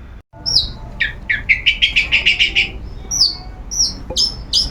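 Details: Long-tailed shrike, a kept bird in its routine sunning, singing openly and nonstop: sharp high whistled notes, then a fast run of about ten buzzy rising chirps, closing with more clipped high whistles.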